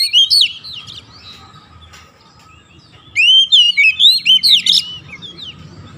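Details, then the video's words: Oriental magpie-robin singing, used as therapy to spur lazy magpie-robins into continuous chatter: a loud burst of bright whistled slurs opens, a quieter lull follows, then another loud string of sweeping high notes in quick succession. "KACER MALAS BUNYI LANGSUNG NGOCEH GACOR TANPA HENTI"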